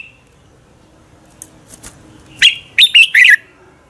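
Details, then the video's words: Red-whiskered bulbul, a lure bird for training others to sing competitively, gives three loud, quick, liquid warbled notes after faint clicks and near silence. "Luyện chào mào hót sáng Giọng chuẩn hay Để ép bổi căng hót, chào mào hót đấu"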